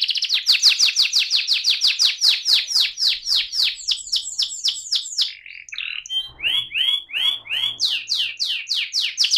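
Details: AF canary singing in the rolling ngerol style: a long run of repeated down-slurred whistles, a brief pause with scratchy notes, then lower looping phrases and renewed fast sweeps.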